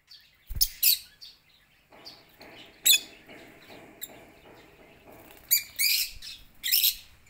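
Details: Lovebirds in a home aviary lining up to eat corn at lunch; loud, harsh high chirps in clustered bursts at the start and end, with a quieter rhythmic scraping between.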